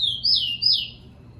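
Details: Two sweet, slurred whistles from a captive tico-tico, the first rising then falling, the second dropping steeply, part of a fast encarte song used to train and warm up other birds.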